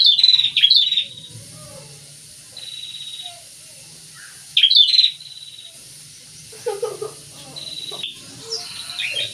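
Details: Pair of prinias singing: loud high chirpy bursts at the start and near four seconds, quieter notes between, and some softer lower sounds toward the end.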